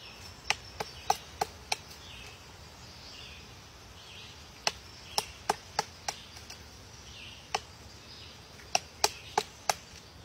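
A woodpecker hammers at wood with loud, sharp single knocks in loose, uneven bursts of two to five. Soft distant bird calls sound faintly behind.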